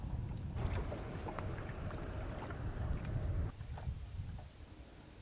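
Low rumbling boat engine and wind noise on open water, with no animal calls.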